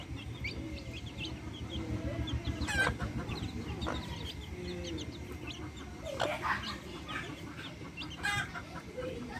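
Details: Backyard hens with chicks: low hen clucks and a few louder squawks mixed with scattered high chick peeps over steady low background rumble.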